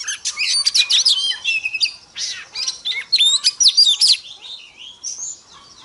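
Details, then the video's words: Oriental magpie-robin female, sounds to stimulate males: rapid bursts of sharp chirps and whistled slurs, fading to a few softer drawn-out whistles at the end. "Choè than mái kích trống hay nhất"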